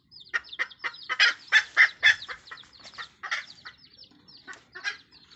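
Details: Red junglefowl mother hen calling to her chicks: a quick series of strong, harsh clucks that builds then fades, with thin, high, downward chick peeps continuing behind.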